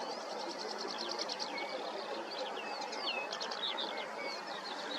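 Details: Twittering common linnets in open country, summer into autumn: bursts of fast high chirps and short upslurred notes, some slurred down, set against constant hissing background noise.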